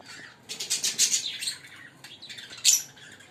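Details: Pair of green Fischer's lovebirds chattering: harsh, high squawky chirps in a dense run, a pause, then another sharp shriek.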